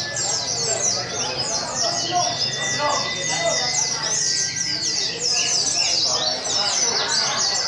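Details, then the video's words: Several white-eyes (pleci) at a songbird contest at Sungai Pinyuh on 29 January 2017 sing at once, a dense tangle of high, rapid twittering phrases with thin sweet notes over a low murmur of crowd voices. "Kontes Suara Burung PLECI"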